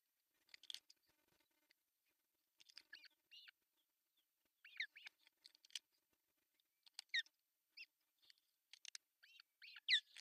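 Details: Osprey at a nest camera in Pohjois Satakunta, Finland, June 10, 2024, as the male brings fish for breakfast. Scattered groups of high, slurred whistled chirps separated by brief quiet gaps, growing louder toward the end.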